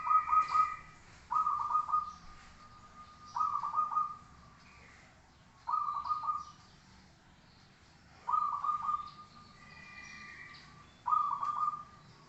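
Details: Training recording of zebra dove song: six repeated cooing phrases roughly every two seconds, each a fast pulsed trill trailing into a sustained low note, steady rhythm over faint background noise.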